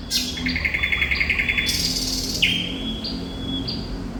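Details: Thrush nightingale (sikatan londo) in vigorous song: a rapid pulsed rattle of about a dozen notes, a harsh broadband rasp, then long thin whistles and a sharp click, low hum behind.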